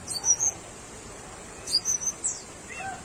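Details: Tickell's blue flycatcher giving two short bursts of very high, thin whistled notes about one and a half seconds apart, each a quick slurred phrase, ending with a faint lower note against a quiet background.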